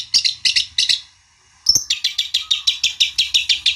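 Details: Provoking song of a long-tailed shrike to make a rival answer: three harsh buzzy notes, a short silence, then a sharp note followed by a fast, even run of grating chirps.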